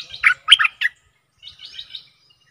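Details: Stripe-throated bulbul decoy recording for aggressive wild birds, 12/12/2021: a brief rich burst of three or four bubbly, throaty notes, then a softer high twittering trail.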